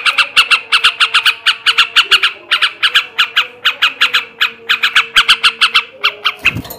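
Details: Male yellow-vented bulbul in ngebrem, ngekek garuda song meant to stimulate breeding: a steady run of rasping, clipped notes, mostly paired or tripled, with a low hum underneath and a thump near the end.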